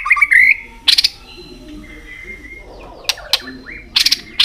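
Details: Caged white-rumped shama giving a stimulating tail-flicking song: a brief whistled phrase, then sharp ticking clicks and faint thin whistles over low background rumble.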